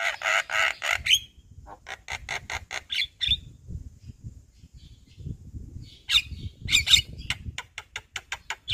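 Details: Daytime song of a Javan myna in front of a house, with loud grating rasps, a string of short buzzy notes, scattered whistles and a closing burst of rapid clicking chatter over faint background rumble.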